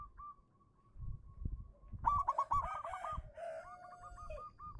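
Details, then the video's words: Local zebra dove singing, used as a lure to prompt silent doves to sing: quick bursts of clipped, bubbling coo notes in the second half, after a faint start over low rumbling background noise. "suara burung perkutut lokal manggung pancingan cepat nyaut untuk perkutut macet bunyi"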